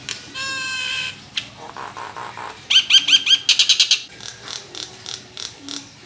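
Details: Caged Nias hill myna in varied song: a buzzy droning note, soft murmurs, then a burst of bright repeated whistled chirps and scattered harsh notes.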